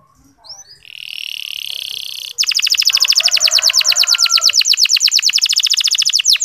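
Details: Local canary master song, used to urge less spirited male canaries to sing: a few faint soft notes, a steady flat buzzy tone, then a long, loud, rapid high-pitched trill.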